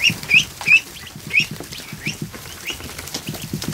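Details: Freshly hatched ducklings, over a hundred, in a kiddie pool set up in a barn; several loud, upslurred piping peeps in quick succession, then softer distant peeping over steady light splashing.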